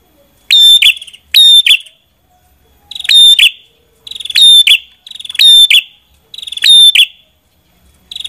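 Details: Prenjak kepala merah singing: loud, sharp, rattling phrases of several quick notes each, repeated about every second with short pauses between, bright and high-pitched, on a quiet background with no other clear sounds.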